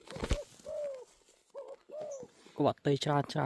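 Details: Spotted dove calling in a sequence of soft, hollow arched coos spaced about half a second apart, followed by a man talking loudly over the end.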